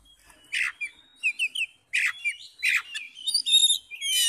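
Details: Oriental magpie-robin in full fighting mode, singing to provoke other males: harsh rasping bursts alternate with short whistled notes and clipped high chirps, ending in a ringing multi-note phrase; quiet background.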